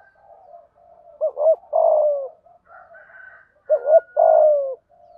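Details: Spotted dove giving 'thúc gù' cooing in 'thổ' voice to spur birds into fast calling; two phrases, each a clipped double note and a sustained sliding-down coo, with gentle burbling between.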